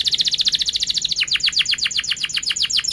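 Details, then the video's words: Canary in sharp, rapid song: a quick buzzy trill of repeated notes flowing into a fast series of downward-sweeping whistled notes, about eight per second. Played as a lure for young canaries learning to sing. "Kenari Gacor Cuit cuit NgeroL TAJAM | untuk Pancingan kenari Paud belajar Bunyi & kenari MACET BUNYI"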